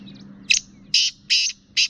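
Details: Black francolin female from the Sindh–Punjab area giving its male-exciting call: a run of four rough, scraping notes about every half second, with a faint low hum behind.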